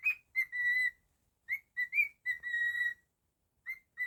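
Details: A pet cockatiel, male, whistles a phrase of rising short notes and a long flat tone, repeats it after a pause, then adds two brief notes.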